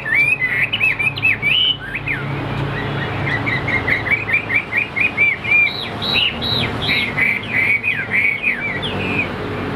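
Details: Caged tam hoàng hwamei delivering a long, fast chattering song: rapid evenly spaced whistled notes, then looping, rising-and-falling phrases, with low background rumble.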